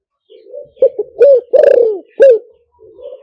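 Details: Spotted dove call meant for luring via speaker: a soft murmur, two short notes, then two rising-falling coos, a long hoarse drawn coo and a clipped final note, closing with a quiet murmur.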